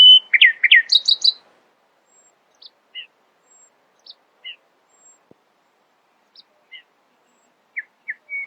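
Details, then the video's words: Nightingale singing in the early morning: a burst of rapid, varied, high chirping notes in the first second and a half, then sparse short whistled notes and clicks with quiet gaps between them. "Nightingale screamed in the early morning, proudly displaying her poetic singing voice."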